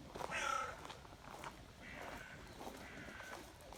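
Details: Grey heron at close range gives one short, loud, harsh call with a layered, nasal tone, followed by fainter drawn-out rasps and soft rustling noises nearby.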